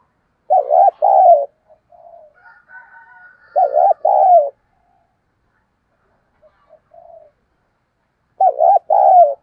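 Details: Decoy spotted dove cooing excitedly: loud, low, two-part coo phrases come three times, roughly every four seconds, with soft murmuring notes between them and quiet gaps.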